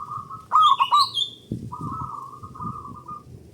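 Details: Local zebra dove song used to stimulate singing in other doves: a sharp, ringing triple-accented coo with a high chirp overlapping, then a long even rolling trill, over low background rumble.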